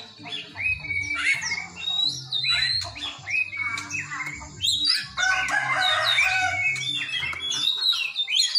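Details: Oriental magpie-robin singing a song stuffed with imitations of the cinereous tit: a continuous run of varied whistled, chattering and slurred phrases, rising and falling, with few pauses and a faint low hum beneath.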